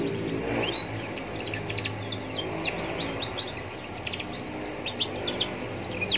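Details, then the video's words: Young Atlantic canary singing beside a roadside, sung to prompt other canaries to answer; quick high chirps and thin twittering notes, some upslurred, follow each other densely throughout, over a low steady background rumble. "Pancingan kenari paud biar bunyi dengan suasana pinggir jalan bikin nyaut berjamaah"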